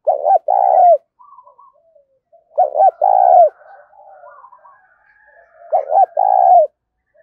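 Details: Three low mellow coo phrases from a spotted dove in 'gáy thúc' style, spaced roughly three seconds apart: a quick stuttered double note, then a drawn-out purring coo, with soft distant bird twitters between.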